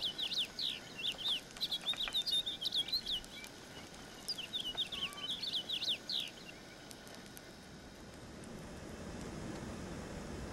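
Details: House finch song: two rapid, high twittering warbles of mixed notes, each lasting a few seconds and separated by a short pause, followed by quiet with faint background noise.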